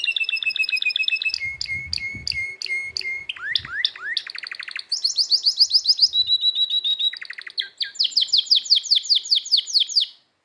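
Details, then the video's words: Loud, varied canary song made of a series of high trills and rolls, each repeated several times at a fast pace before switching to a new phrase, ending abruptly. "canary singing"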